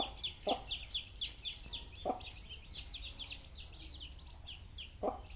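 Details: Young chicks eating, a dense chorus of thin, high, rapid peeps overlapping continuously, broken by three sharp broadband clicks like pecking about one and a half seconds apart, over steady low hum.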